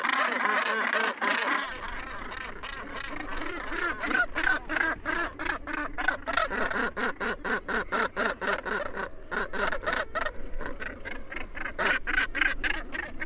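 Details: Northern gannets on Helgoland, where the species has nested since 1991: a dense din of harsh, grating calls repeated rapidly by many birds at once, overlapping continuously with a steady low rumble.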